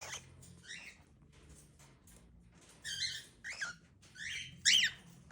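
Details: Cockatiel (Nymphicus hollandicus), call.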